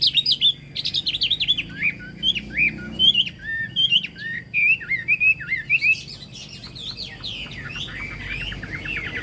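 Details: Chinese hwamei in full song, pouring out fast, looping whistled notes and rolling slurs in a steady stream, growing softer and more blurred toward the end.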